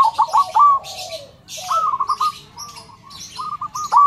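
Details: Zebra dove (perkutut) with a big voice, used to train other birds: bursts of trilled cooing, a lower coo sliding downward, then more purring phrases, with scratchy clicks overhead.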